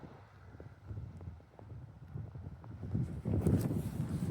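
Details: Beach wind buffeting and a rising wash of surf, with scattered faint ticks; no animal voice heard.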